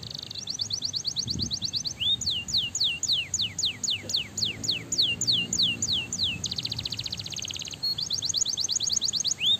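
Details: Canary singing to stimulate other canaries: varied tours of rapid high chips, a long series of steeply descending whistled notes, a dense buzzing rattle, then quick trills again; lively, continuous and high-pitched.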